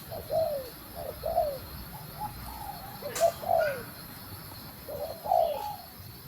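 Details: Female spotted dove giving a stimulating call to rouse the male. Muted, low, falling coos come in paired phrases about once a second, over a quiet hum, with a brief click midway.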